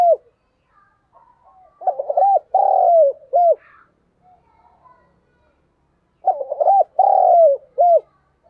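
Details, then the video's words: Decoy spotted dove cooing to attract wild birds, close recording: two identical phrases about four and a half seconds apart, each with choppy opening notes, a long falling coo and a short final note, in near silence. "Chim Cu Mồi Thúc Bổi Và Gáy Gọi Hay/ Tiếng Chim Cu Gáy Thúc Gù Căng"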